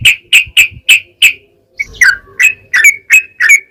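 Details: Yellow-vented bulbul lure song to make other bulbuls sing: five clear, ringing notes evenly spaced, a short pause, then quicker slurred and doubled notes, slightly falling.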